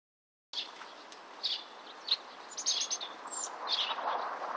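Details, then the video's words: European robin singing in Bratislava on 29 March 2013: a thin, high, varied warble of short trills and slurred whistles over a steady hiss. "Robin - Erithacus rubecula"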